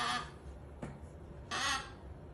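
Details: Twelve-year-old pet Umbrella Cockatoo beside a baby, giving two short, harsh, noisy screeches about a second and a half apart over steady indoor background hum.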